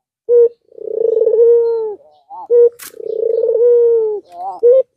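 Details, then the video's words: Albino Barbary dove calling to stir other doves into calling: two long, low, rolling coos with a pulsed start, each followed by short, higher clipped notes. "Puter albino suaranya indah dan sangat merangsang puter lain yang padA MALAS bunyi"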